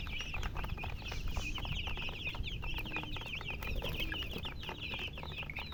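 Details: Chicks chirping: quick, bright downslurred peeps repeated rapidly in a crowded chorus, set against a constant low rumble.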